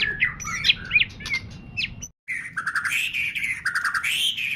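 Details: White-rumped shama in loud song, meant to provoke other shamas to sing: quick squeaky notes and short chips, a brief gap, then a continuous rich warbling stream of whistled and buzzy phrases.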